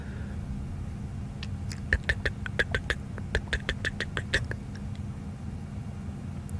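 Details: A woodpecker feeding behind a safari vehicle on a June 22 afternoon drive taps about twenty sharp, dry knocks in an uneven three-second burst, over a steady low engine rumble, with lions nearby.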